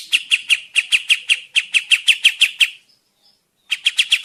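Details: Kapas tembak bird in full active song, a forest trapping lure: a steady string of about fourteen sharp, clear chirps, evenly spaced, then a brief silence and a renewed quick run of chirps.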